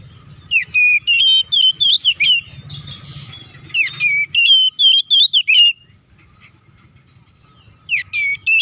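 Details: Oriental magpie-robin fighting song for provoking other magpie-robins: groups of rapid whistled notes and metallic chips come in bursts separated by pauses, over a faint low background rumble.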